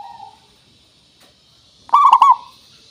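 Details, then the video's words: Zebra dove, local perkutut in lure recording meant to make birds sing: a faint trailing coo at the start, quiet, then one loud bubbly three-part coo. "Suara Pancingan Burung Perkutut Pikat Paling Bagus Supaya Bunyi"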